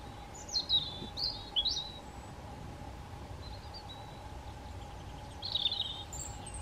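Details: European robin on a hiking trail in Meteora, Greece, delivering a few quick high descending notes, then a pause, then a brief scratchy trilled phrase, against a steady low drone and soft ambient noise.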